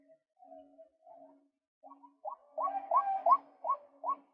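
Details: Male white-breasted waterhen used as a lure: soft hesitant notes build into a series of loud, hollow, rising 'kwak' calls, repeated roughly every third of a second.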